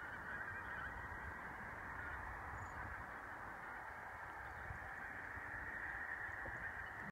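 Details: A flock of Todd's Canada geese at Castle Stewart, Inverness-shire, on 16 December 2017 gives a dense, continuous chorus of nasal, overlapping honks with no clear gaps.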